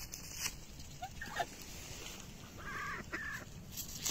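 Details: Two Bali duck sisters squabble while eating cabbage leaves in a pond, giving short, nasal, harmonic quacks, a few scattered calls then a quick pair near the end, over steady background noise; domestic duck.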